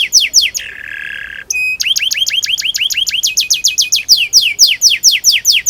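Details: Canary song used as a training lure for young canaries: falling whistles, a harsh buzzy tour, then a run of quick upward-hooked notes with high overtones, finishing in louder falling whistles repeated steadily.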